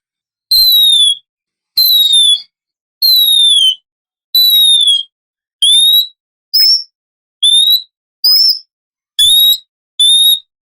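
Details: Oriental magpie-robin lure recording for the morning, described as a female in heat calling a male: clear descending whistles near the same pitch, given in even bursts about every 1.3 seconds, with a few higher rising notes, no other sounds.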